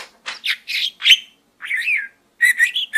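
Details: Pet budgerigar chattering and talking inside a small gourd indoors: short warbled syllables and buzzy bursts in quick groups, with brief whistled notes and pauses between phrases.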